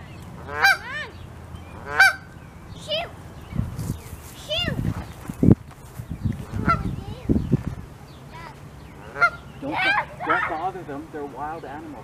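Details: Canada geese, a mother with goslings settling to sleep under her wing in Saskatoon, Saskatchewan, 16 May 2021, give nasal honking calls, single or in short bursts every second or two, with a person speaking quietly in between.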